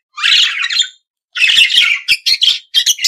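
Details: Budgerigar from Australia with one long rasping warble, then a run of grating chatter ending in short clipped chirps.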